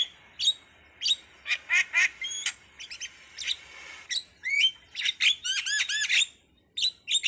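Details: Starling (jalak) in anak rimba style song, mixing short chips, slurred whistles and a quick burst of rising hooked notes, with brief gaps between phrases.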